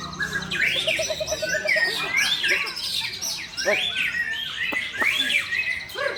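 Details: Two caged white-rumped shamas matched against each other sing in bursts of looping whistles and quick upward-swept notes, with a short buzzy trill early on, overlaid with busy background birdsong and human voices.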